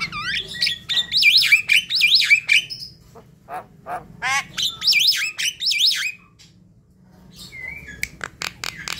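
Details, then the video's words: Javan myna singing, played to coax a quiet bird into calling at night; wavering, warbling whistles that rise and fall, interrupted by harsh buzzy chatter notes, a second whistled run, then a short upward whistle and sharp ticks. "Untuk pancingan malam hari jalak kebo malas bunyi"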